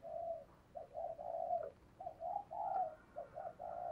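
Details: Decoy spotted dove cooing to prompt other doves to call: repeated phrases of short notes running into longer mellow coos, steady and even, with light background hiss.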